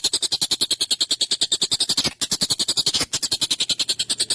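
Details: Rapid harsh chatter of an excited collared kingfisher, recorded as long, sharp tutoring material for songbirds: loud, rasping high notes fired in quick even rhythm, broken by two short gaps.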